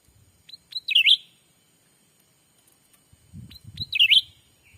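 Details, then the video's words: Sumatran forest recording of a black-capped bulbul lure for wild birds: upslurred whistled notes leading into a looping, liquid warble, given twice, with low rustling handling noise under the second phrase. "suara asli pikat cucak ranting anti jong yang liar pasti dijamin langsung datang"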